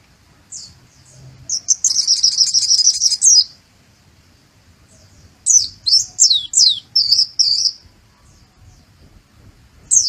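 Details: White-eye singing song learned from a sunbird: a thin high buzzy trill lasting nearly two seconds, a pause, then a row of sharp very high downslurred chips and short trills, and another note at the end.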